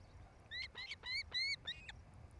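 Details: Osprey at a nest in Charlo, Montana, on 07-08-2018 between 17:00 and 18:00, where a pair is nesting: a quick series of five or six sharp, high, whistled chirps, each slurring slightly upward, over a faint low rumble.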